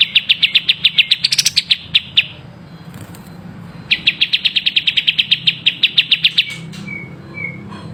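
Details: Long-tailed shrike (cendet) in full vigorous song (gacor), a tutor recording: quick series of sharp high ticking notes, a short louder flourish, a pause, then another fast run ending in a few thinner separate notes.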